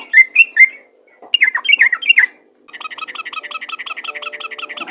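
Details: Yellow-vented bulbul song in the 'ropel' manner, played to get other bulbuls singing. A few clear whistled notes, a burst of falling slurred notes, then a quieter, rapid, chattering series of doubled notes to the end.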